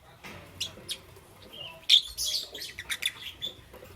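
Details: Morning chirping from pet lovebirds of green, yellow and lutino colour: thin, high chirps and brief squeaky notes, a louder buzzy burst near the middle, followed by scattered softer tweets.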